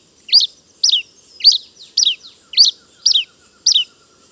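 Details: Pileated finch song: a regular series of seven bright, high notes, each sliding downward, spaced about half a second apart in quiet surroundings.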